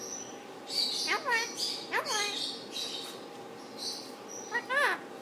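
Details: Indian ringneck parakeet kept as a pet, talking while its owner says hi and bye bye: three sharp, nasal, falling squawk-words spaced about a second apart amid soft room noise.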